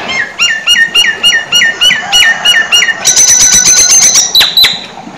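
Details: Nias hill myna in lively full song of the 'gacor full isian' style: a loud run of clear whistled notes, each falling and repeated about four times a second, then shifting to high, sharp, buzzy rapid notes near the end.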